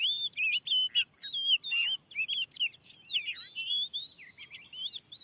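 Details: Fierce wild oriental magpie-robin drawn to a lure in a newly cleared field, giving loud clear whistles and chattering notes, then a buzzy, wavering stretch of song.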